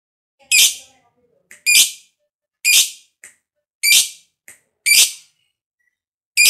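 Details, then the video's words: Fighter lovebird recording in the 'ngekek panjang' style, used as bait to stimulate other lovebirds to sing: loud, harsh, shrill shrieks repeated about once a second, six in all, each followed by a faint short squeak, with no other sounds. "Pancingan Lovebird Ngekek Panjang SUPER FIGHTER"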